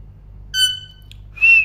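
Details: Parrot chirping: a clear harmonic whistled note, a faint click, then a sharper, higher whistle rising briefly and holding steady; quiet low hum underneath.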